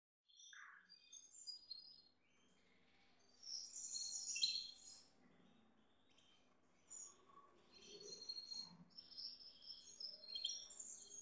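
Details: Male Gloster canary kept with a female, giving bursts of high, twittering song notes with short trills, rising in loudness around the middle and again toward the end, separated by quieter gaps with faint lower sounds.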